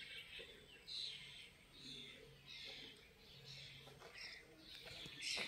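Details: European bee-eaters (Merops apiaster) at the Soča river mouth nature reserve on 14 June 2024: soft, rolling, liquid chirps, several overlapping in quick succession, over a faint low hum.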